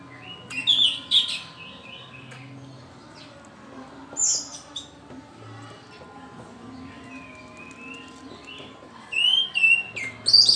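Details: Young orange-headed thrush learning the pelong song style, giving scattered short chirps and brief high whistles in separate bursts, with quiet gaps between them and a faint low hum in the background.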